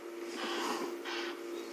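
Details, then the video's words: An Egyptian goose yells two or three harsh, hoarse honking bursts in quick succession over a steady low engine hum, heard on a 25 June morning safari drive near lionesses. "That noise you can hear is an Egyptian goose yelling."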